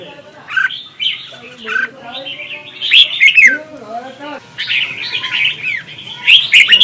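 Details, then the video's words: Vietnamese red-whiskered bulbuls in a singing contest, recorded as lure sound for bird training: varied, looping whistled phrases, some lower mellow slurs mid-way, then brighter rapid warbles at the end. "Chào mào hót đấu hay nhất việt nam"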